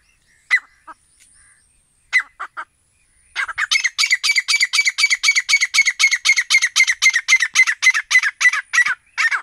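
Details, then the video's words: Grey francolin, known locally as desi teetar, calling: a few separate sharp notes open, then a fast, steady run of loud, clipped, ringing notes repeated about four times a second until the end. No other clear sounds. "Grey Francolinus video voice Desi teetar video awaz"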